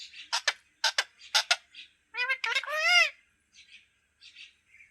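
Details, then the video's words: Green parrot talking: a few short harsh speech-like syllables, then a run of buzzy rising and falling tonal squawks with strong harmonics, followed by soft scattered chatter. "#Talking parrot #green parrot video"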